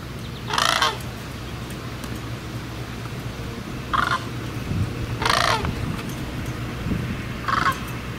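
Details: Sandhill cranes calling: four loud, rolling, rattling bursts with a rich harmonic texture, spaced irregularly across the recording, over a steady low rumbling hum in the background.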